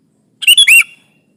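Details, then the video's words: Sooty-headed bulbul singing to lure and press a rival for trapping: a single crisp phrase of three quick notes, the last a rising whistled slur, in a quiet setting. "Suara burung kutilang gacor menekan lawan, pancingan pikat kutilang ribut & kutilang diam"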